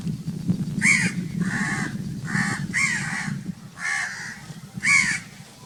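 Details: Loud crows cawing, six separate harsh, nasal caws spaced roughly a second apart, with a low background rumble underneath.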